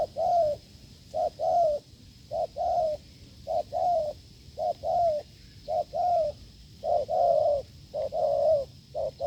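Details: Hard-cooing wild spotted dove during a failed decoy test: repeated mellow coos grouped in twos, a quick note then a fuller drawn one, steady and loud over a faint electrical hum.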